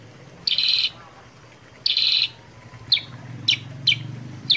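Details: Sooty-headed bulbul, a cage bird with green body and black head, recorded to prompt other birds to sing. Two harsh buzzy bursts are followed by four short, sharp, high chips.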